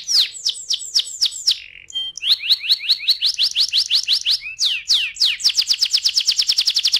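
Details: Canary singing varied phrases: spaced falling whistles, a brief buzzy note, a run of rising chips, then a dense rapid trill of high repeated notes.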